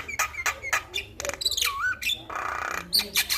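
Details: Male Javan myna singing, used as a master recording to prompt other mynas to sing: harsh broadband squawks and clicks, a descending-rising whistled note, then a buzzy rasping burst and sharp chattering notes.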